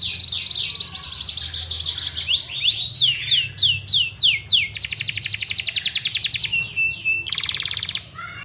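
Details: Varied Yorkshire canary song intended as a master for contest birds: warbled phrases, a chain of rising-falling whistles, then a dense fast rattle and a brief buzzy trill before stopping.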